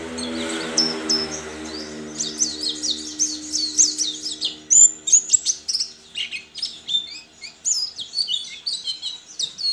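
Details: A white-eye from Sambas, West Kalimantan, entered in an online singing contest in April 2020, sings a rapid, high, twittering song of sharp chirps and quick trills without pause, over a low steady hum at the start.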